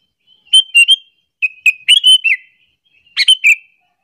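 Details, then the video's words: Sooty-headed bulbul, a lively calling bird, giving a call used as a lure to provoke other bulbuls: three bursts of short bubbly whistled notes, each two to four notes, with brief pauses between; quiet background. "suara panggilan burung kutilang alasan untuk pikat"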